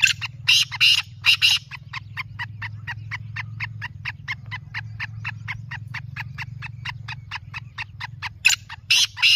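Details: Black francolin voice: loud rasping double bursts at the start and end frame a long, even train of short, dry ticking notes, with a constant low electrical hum beneath.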